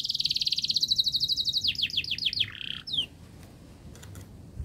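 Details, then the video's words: Canary in long, fast, tightly packed song, played as a model for young canaries: a rapid high trill, then a string of steep descending slurs, a short buzzy note and a final downsweep before it fades. "Kenari Gacor Panjang Speed Rapat Untuk Pancingan kenari Paud Agar Cepat Gacor"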